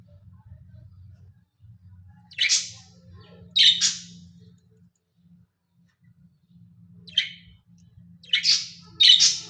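Budgerigars give short, bright, scratchy chirps in quick bursts over a faint low hum.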